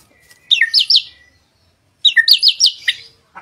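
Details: White-rumped shama master song, used to coax other birds into singing: two bursts of quick, looping high whistled notes, each about three-quarters of a second, separated by a short silence.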